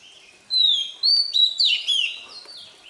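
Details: Morning warm-up song of a wild-caught Oriental magpie-robin: a long, pure whistle gliding slightly downward, then a series of bright whistled notes and a brief burbling trill, all high-pitched.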